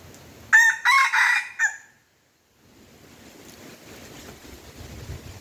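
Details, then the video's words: Crowing red junglefowl, lured using a domestic chicken. A single harsh crow opens in four quick segments, a short first note, two drawn-out rasping phrases, a clipped tail. Quiet follows, then low rustling and outdoor background noise. "ຕໍ່ໄກ່ປ່າໝານໄກ່ບ້ານ( ต่อไก่ป่าหมานไก่บ้าน)"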